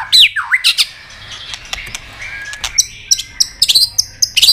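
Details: White-rumped shama delivering a many-voiced training song with tạch clicks: a few loud swooping whistles, a quieter warbled stretch with scattered clicks, then a fast string of high, thin notes.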